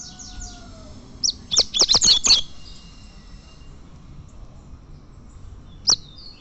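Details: A champion tournament Double-collared seedeater (Sporophila caerulescens) sings a quick burst of five or six sharp, high chipping notes, then one more bright note after a pause, over a quiet low hum.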